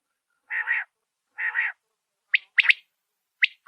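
A male quail calls to a female with two harsh, buzzy bursts about a second apart, then sharp, quick, upward-flicking notes in pairs.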